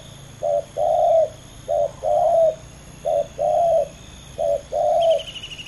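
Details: Two male spotted doves in a heated ground contest. Four clean rounds of low cooing each pair a short note with a longer note, evenly spaced over a quiet background. A high trill enters at the end.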